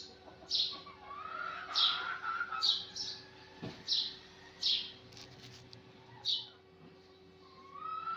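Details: Sparrow in the morning giving clear, high, clipped chirps at irregular intervals of one to two seconds, with a lower whistled note early on and a quiet hum behind.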